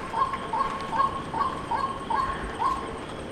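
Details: White-breasted waterhen calling in a steady series of clipped, nasal croaks, roughly two to three per second, over a soft background hiss.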